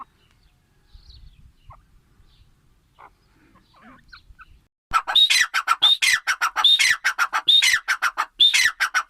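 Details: Grey francolin starting abruptly after about five seconds of faint background noise, then delivering loud, harsh, rhythmic phrases of a high note followed by descending chattering syllables, repeated roughly every 0.8 seconds.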